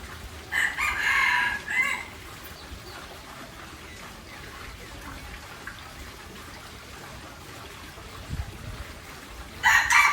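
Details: Aceh junglefowl gives a hoarse, raspy crow lasting over a second. A long quiet stretch of low background hiss follows, and a second crow begins just before the end.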